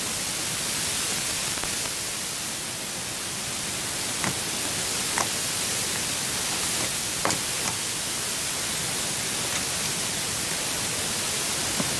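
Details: Loud, steady hiss of wind or static with a few faint clicks, and no animal voice.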